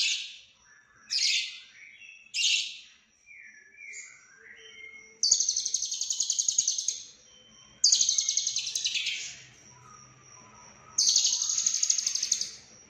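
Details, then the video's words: Konslet-style lovebird song, full isian, recorded in Cililin: three short high chirping bursts, then three long rapid buzzing trills of about two seconds each, separated by quieter whistled notes. "Lovebird Konslet Full Isian CIlilin"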